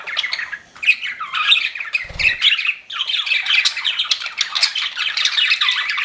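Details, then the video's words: Pet budgerigars in continuous warbling chatter with squawky, rising and falling notes and a brief low thud partway through. "CUTE PET BUDGIES CHIRPING"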